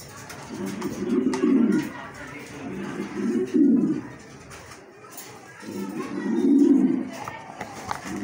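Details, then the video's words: Yellow Show King pigeon, a domestic breed kept indoors: deep throaty rolling coos in three main bursts, the last longest, with quieter gaps and faint background voices and clatter. "Yellow Show King Pigeon । শো কিং কবুতর"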